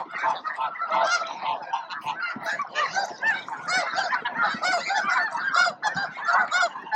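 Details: Huge flock of snow geese at Bosque del Apache near midday, feeding and jostling with each other for a spot; a steady wall of harsh, overlapping honks with no pauses.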